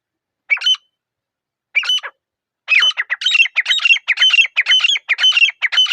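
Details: Grey francolin, known locally as teetar, in a still forest: a few separate harsh notes, then a fast, unbroken run of loud, ringing, squeaky phrases repeated about twice a second.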